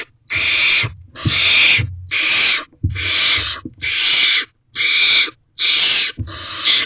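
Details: Hungry mother barn owl in a nest box, 8:53 p.m. on 5/10/23, begging her mate and owlet for food: eight evenly spaced rasping hisses, each about half a second long, separated by brief silences, with soft low knocks beneath.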